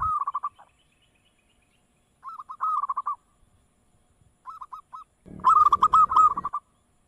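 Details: Local zebra dove (perkutut), played as a lure so others answer, giving three bursts of rapid, cooing trilled notes, each phrase a run of short rolling pulses, the last overlaid by a brief low rumbling thump.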